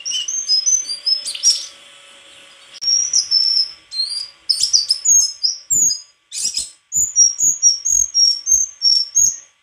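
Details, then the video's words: White-throated flycatcher singing a lively series of high, clear whistled notes and short trills, with brief pauses between phrases and a faint steady hum beneath. "Sikatan krongkongan putih suara gak kalah sama burung kicau lain"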